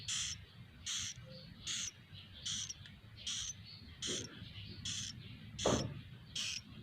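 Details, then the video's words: Swiftlet chicks in an indoor nest house give a regular series of about nine rasping, hissy bursts, roughly one every 0.8 seconds, above a continuous low rumble. "dengar suara asli anakan burung walet"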